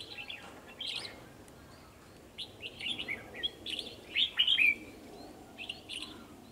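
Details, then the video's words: Red-whiskered bulbul song from two males confronting a decoy bird in a trap, recorded 9 December 2020: repeated short warbled phrases building to a loud slurred flourish, over steady outdoor background hiss. "Bẫy chào mào 2 trống đòi chiến mồi"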